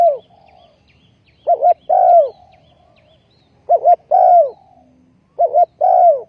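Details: Decoy spotted dove set on the ground for trapping, 20.04.2020, repeating its coo every couple of seconds: a brief quavering double syllable, then a full, mellow downward-curving note; background otherwise quiet.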